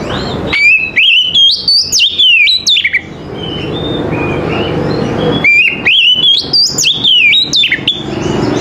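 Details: Oriental magpie-robin (kacer) morning song: two bursts of rapid, varied whistled notes, sliding and warbling, separated by a quieter gap with background noise.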